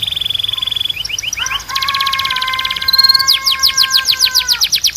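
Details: Belgian canary song in varied phrases: a rapid rattling series, a short run of rising chips, long steady whistled tones, then loud sweeping notes repeated several times a second.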